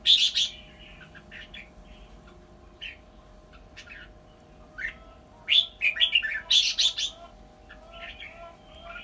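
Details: Caged decoy red-whiskered bulbul, almost done moulting, gives a loud opening chirp then sparse notes before lively bursts of rapid, sharp warbled whistles; steady mechanical hum throughout.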